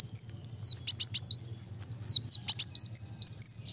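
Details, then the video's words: Continuous, fast kolibri wulung song: a steady run of high, thin whistles sliding downward, punctuated twice by sharp doubled clicks, with hardly any pause. "Kolibri wulung(kowul) gacor speed rapat cocok untuk pancing bunyi dan masteran"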